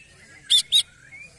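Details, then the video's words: Greater green leafbird calling after a song contest, worked up and more vocal than during it: two loud, sharp, high chirps in quick succession over a faint thin whistle. "CUCAK IJO EMOSI SETELAH LOMBA"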